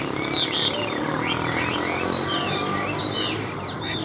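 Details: Tame caged Chinese hwamei singing on a table, giving several separate slurred whistles, some rising and some falling, spaced across a few seconds against steady background hiss.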